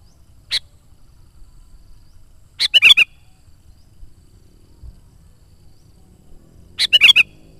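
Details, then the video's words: Sooty-headed bulbul in active song, used as a lure for wild bulbuls: one short note, then two bubbly three-to-four-note phrases several seconds apart over quiet low hum. "SUARA BURUNG KUTILANG GACOR"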